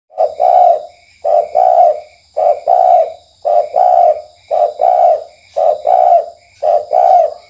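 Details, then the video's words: Spotted dove giving a night lure call of the KUK1 type: about seven paired low coos, a short note then a longer hollow one, repeated roughly every second, over steady high insect hum and pulsed cricket chirps. "Pancingan Tekukur Malam Tekukur KUK1"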